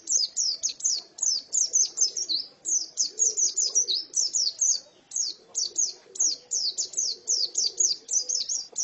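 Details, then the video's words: A female white-eye sings rapid, high-pitched chirps strung into lively bursts of about a second, separated by brief gaps, with faint low sounds underneath. "Pleci betina sangat bagus suaranya"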